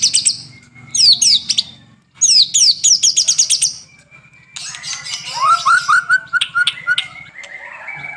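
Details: Energetic white-rumped shama song for stimulating other birds, morning and evening: fast high whistled trills in clipped bursts, then a lower run of evenly spaced rising notes over a busy chatter, with a steady low hum throughout.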